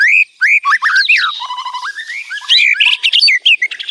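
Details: White-rumped shama (murai batu) delivering loud, full song: clear upward-slurred whistles, a flat held whistle broken into pulses, then rapid high chattering notes and short squeaky phrases in quick succession.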